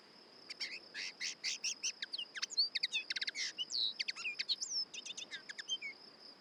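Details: Common Linnet singing a rapid, varied phrase of twittering notes, short buzzy clusters and brief rising whistles, pouring out without a fixed pattern; a constant high insect drone runs underneath.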